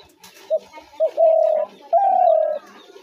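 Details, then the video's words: Spotted dove call of the sort used as a lure for dove trapping: two short clipped coos, then two long, slightly falling cooing notes in a steady mid-pitched phrase. "ঘুঘু পাখির ডাক/Dove bird calls/gugu pakir dak/ dove trap sounds/পাখির ডাক"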